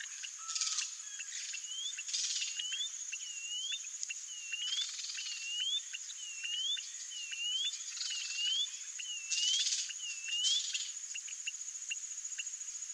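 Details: White-bellied seedeater (Sporophila leucoptera) singing: a long series of slurred, dipping-then-rising whistles, repeated about every half second, over a constant high insect buzz and soft clicking ticks.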